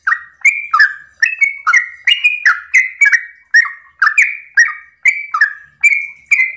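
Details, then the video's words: Morning song of a sooty-headed bulbul in the long 'ropel' style, played to prompt other bulbuls to answer: an unbroken stream of liquid, slurred whistles, two-note dips repeated quickly and steadily with bright clicky tops. "Pancingan trucukan gacor ropel pagi hari trucukmu pasti langsung nyaut"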